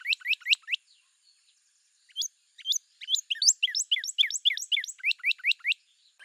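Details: Quick upward-sweeping whistles from a Northern Cardinal, given in bursts with short pauses, the later part a rapid, somewhat irregular string of rising notes.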